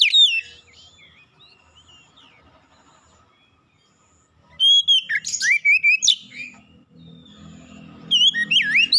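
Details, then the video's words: Oriental magpie-robin song meant to provoke another magpie-robin into singing: a loud whistled opening, a quiet pause, then bursts of sharp sweeping chirps and rising whistles. "PANCINGAN KACER CEPAT panas GACOR naik emosi bongkar isian"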